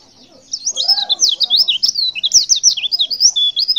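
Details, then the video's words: A female white-eye gives a rapid, high, twittering stream of thin slurred whistles, about three notes a second, over a faint low murmur. It is described as a female in breeding condition calling to males, used as a lure. "Suara CALL PLECI BETINA Super Lenjeh BIKIN Pleci Jenis Apapun Cepat Respon & gacor"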